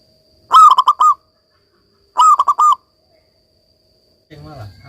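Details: Local zebra dove singing actively, played as therapy for doves gone quiet. Two quick bursts of stuttering, purring coo notes about 1.5 seconds apart, followed by a brief low rumbling noise.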